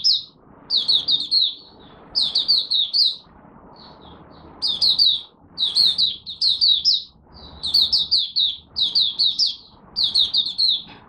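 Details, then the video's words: Malaysian mata puteh, the oriental white-eye, opening its first warm-up song of the day on 1 August 2023. High, sweet, rapidly tumbling chirps form repeated phrases of four to six notes, broken by short silences, with soft low hum. "Malaysian Mata Puteh Buka Sing"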